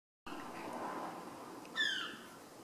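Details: A herring gull parent gives a single short, sharp, downward-slurred yelp over a steady rush of wind or surf while it and its mate attack a smoking man, defending their chick nearby in a parking lot.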